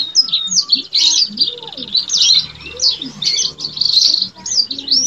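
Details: Yellow-fronted canary, a male Mozambique singer, delivering a continuous energetic song of sharp high twitters and quick warbled phrases, with softer lower chirps faintly beneath.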